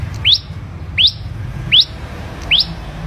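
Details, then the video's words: Ashy prinia, a bird hand-reared from young, giving four loud, sharply rising whistled notes, one roughly every three-quarters of a second, over a soft low background hum. "Prenjak Kepala Merah Gacor"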